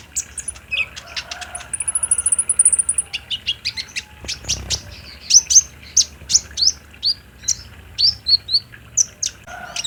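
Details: Olive-backed sunbird, played as a lure to make a caged bird respond and sing, recorded on a phone: a busy run of high, thin chirps and sharp ticks, a high trill early, then evenly spaced bright notes.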